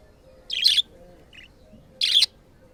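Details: Pet black-faced budgerigar at play: two short, harsh, buzzy chirps about one and a half seconds apart, with a faint softer note between, over a quiet low hum.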